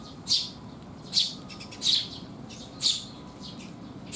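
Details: Eurasian tree sparrows coming for food at a rainy-day resting spot, 19 June 2021: four loud, clear high chirps spaced roughly a second apart, with quiet hiss between them.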